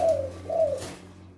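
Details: A male spotted dove with a big voice gives a two-note coo: two deep, slightly falling coos about half a second apart, over a faint low hum.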